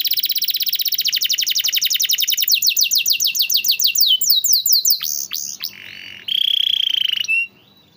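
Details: Canary song used as a master tutor to prompt canaries that seldom sing: a long fast trill of rising sweeps that slows into separate swooping notes, then a steady buzzy roll and a brief whistle.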